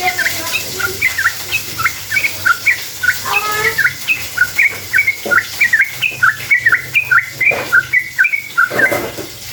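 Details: Sooty-headed bulbul in long, rapid-fire gacor song, used as a lure so other bulbuls answer: quick bubbly two- and three-note phrases rising and falling, repeated almost without pause for nine seconds, with a faint lower harmonic call midway.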